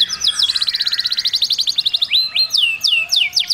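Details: Singing canary coaching its chicks: a rolling rapid trill gives way abruptly to loud, swooping whistled notes that drop in pitch.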